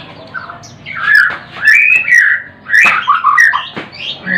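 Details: White-rumped shama giving loud, harsh squawking notes and short scratchy warbles in bursts, mid-pitched and uneven, with brief pauses between phrases.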